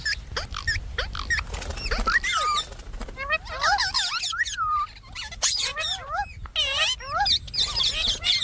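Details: Indian ringneck parakeet letting out a string of grating screeches and looping, wavering whistled calls, loud and uneven, over constant low background noise.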